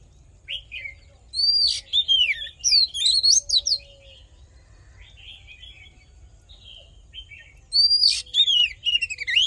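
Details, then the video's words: Fighting song of an Oriental magpie-robin, used for voice training to stir males: loud clusters of sharp, rising and falling whistled notes, a quiet stretch with soft warbles, then another bright burst, with a faint low hum throughout. "Hót Đấu Kích Trống Căng Lửa || Luyện Giọng Chòe Than"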